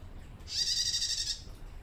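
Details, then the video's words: Captive female bar-winged prinia (prenjak tamu), still young and learning to sing, gives one high, buzzy, rapidly pulsed trill under a second, said to be calling to males, against a quiet background. "PRENJAK TAMU BETINA LANGSUNG BUNYI"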